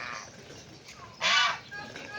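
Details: Noisy farm geese in Tagaytay, Philippines; faint honks early, then one loud harsh nasal honk near the middle followed by weaker calls, with a voice briefly heard.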